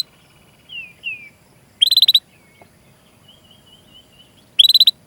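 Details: Canary chirping, used to coax young or silent canaries into song: soft slurred whistles, then short fast bursts of high trilled notes separated by a few seconds of quiet and a wavering thin note.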